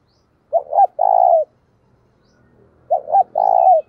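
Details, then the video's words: Decoy spotted dove calling to spur fighting; a pair of phrases about two and a half seconds apart, each a short two-part note then a sustained hoarse coo, otherwise quiet. "Chim Cu Mồi - cu gay kich boi nhanh noi gù hieu quả, cu gáy thúc đấu"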